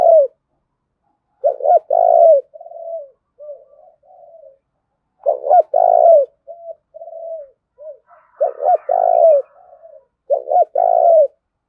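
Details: Decoy spotted dove urging rivals to fight with rapid cooing: repeated low phrases of clipped double notes and a long purring coo, broken by short soft murmurs, with brief faint higher chatter.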